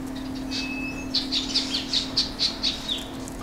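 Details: Male chestnut-bellied rock thrush (Monticola rufiventris) giving a quick run of about eight high, sharp chipping notes, roughly four a second, over a steady low hum.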